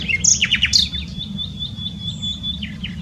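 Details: Nightingale song phrase recorded at Dohr in Germany's Eifel region: a quick burst of sharp descending chirps in the first second, then a thin sustained high whistle fading over a soft low background hum.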